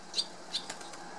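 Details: Barn swallow fledglings visiting in July 2018, Samara Oblast, Russia, give two short, high chirps about a third of a second apart, with a few soft clicks and flutters between them.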